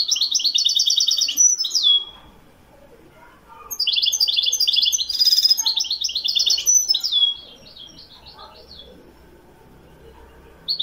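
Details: European goldfinch of the Wiidani type from Morocco, recorded in 2021, sings several bursts of quick, glittering high twitters. One ends in a clear drawn whistle, and a longer liquid phrase follows after a short quiet gap.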